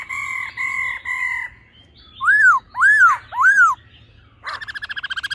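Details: Laughingthrush, with a female and male singing in a wild-type voice, gives three level whistled notes, then three loud arching slurred whistles, ending in a rapid, accelerating chattering trill.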